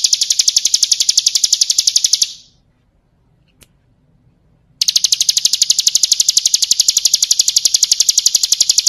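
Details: Bar-winged prinia of the crystal type singing a full master song used to tutor other birds: rapid, evenly pulsed high buzzy trill, broken by a silent gap of about two and a half seconds, then resuming just as fast.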